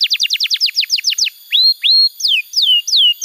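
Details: Energetic canary in full song, a training piece for young birds: a fast run of about twelve sharp descending notes, two long rising whistles, then three drawn-out falling whistles.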